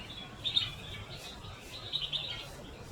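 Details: Dusky crag martins feeding chicks at a nest at a resort in Yercaud, Tamil Nadu, give soft, high twittering chirps in two short bursts about a second apart, over a faint background hiss.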